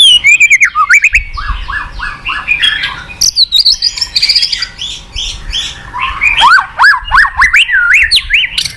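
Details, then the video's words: White-rumped shama (murai batu) song played as a lure for a lazy caged bird: loud, varied whistles, a fast run of repeated downslurred notes, then bright upswept and looping phrases. "Pancingan MURAI BATU MALAS BUNYI Sekali putar langsung NYAUT ,GACOR & BONGKAR ISIAN"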